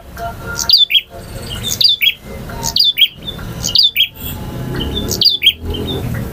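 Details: Male bar-winged prinia singing its varied ngotot and ngalun styles: quick high squeaky double notes repeated about once a second, each followed by a brief harsh burst.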